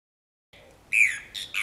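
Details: One Brown Cacholote vocalizing at Reserva El Tabaquillo, Merlo, San Luis, 22 August 2012; after a soft lead-in, a loud harsh, slightly falling note is followed by two shorter, raspy notes in quick succession.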